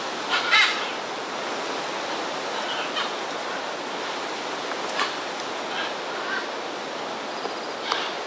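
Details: Scarlet macaws (Ara macao) in Corcovado National Park, Costa Rica, give harsh, raucous squawks: a loud burst at the start, then scattered shorter calls, over steady surf-like rushing noise.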